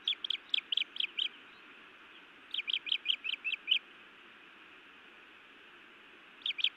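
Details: At a nest in Montana, a feisty female osprey scolds her mate before biting him; sharp high chirps come in quick runs of six or seven, with pauses between bursts over a constant low hum.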